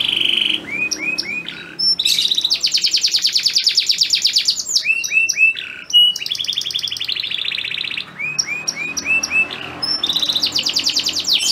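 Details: Male canary song meant to bring a female into mating readiness: short upswept notes followed by long, dense rolling trills, broken by brief chirp series.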